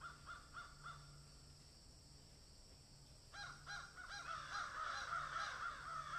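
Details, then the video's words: Rapid, regular harsh caws from a crow eating food, a few at first, then a dense run of raucous calls building in loudness toward the end, over a low steady hum. "Crow sound"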